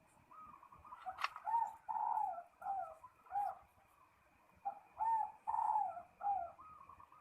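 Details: Rival-calling zebra dove (perkutut) delivering two phrases of gentle, wavering coos separated by a short pause, with a faint click early on and low background noise.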